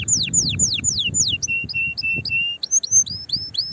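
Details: Canary in excited song to stimulate others to sing: falling sweeping whistles, a series of flat short notes, then repeated rising notes, with low background noise.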